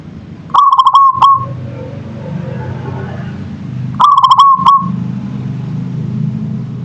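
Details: Zebra dove (perkutut, local type) singing two phrases roughly three and a half seconds apart, each a fast string of clipped coos ending in a brief sustained trill and a last short note, with low rumbling noise between.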